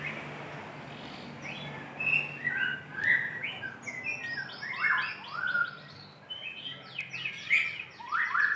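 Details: Singing white-rumped shama calling a female: short bright whistles and quick descending chattery phrases in bursts roughly every half second to second, with higher thin notes mixed in; steady low hum behind.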